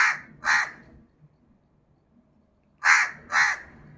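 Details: Crow calling in pairs: two harsh, coarse caws half a second apart, a silent gap of nearly two seconds, then another matching pair.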